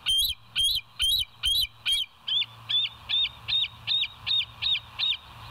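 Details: Live-cam bald eagles at West End, morning of 28 August 2023, 07:02. A steady, evenly paced series of about thirteen high, thin, slightly rising chips, roughly three each second, with a low background hum.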